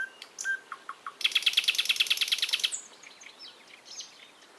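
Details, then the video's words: Songbird singing: a few short, sharp descending notes, then a rapid, dry, buzzy trill lasting about a second and a half, followed by soft scattered chirps. "голоса птиц"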